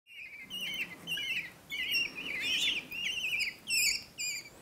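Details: Common kestrel chicks, taken into care after their mother disappeared, getting a final feed before returning to their wild nest: quavering, high, squealing notes repeated in short wavering bursts against a soft hiss.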